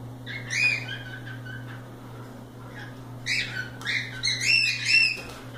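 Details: Playing cockatiels out of their cage utter a short whistled chirp, a quiet spell, then a rapid series of rising harmonic chirps, with a low electrical hum throughout.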